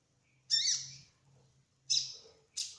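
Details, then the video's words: Kolibri ninja sunbird giving three high, harsh, slightly buzzy notes spaced about a second apart over a soft low hum. "Kolibri Ninja Trotol Gacor Ngerol : Singing Hummingbird"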